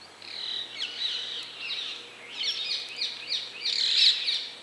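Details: Red crossbill sitting high in a bare tree, delivering a rapid, dense run of bright chirps and twittering notes that swell and fade in waves over a quiet outdoor background.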